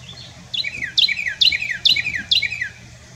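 A Carolina wren sings a loud, rolling phrase five times in quick succession, each one sliding from high, bright notes down to lower ones, over a faint background hum.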